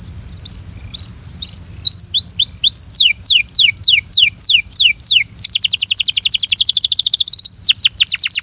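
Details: Belgian canary coaxing a friend to sing: scattered chirps build into evenly spaced falling whistles, then a rapid high trill and a few final descending notes; high hiss throughout.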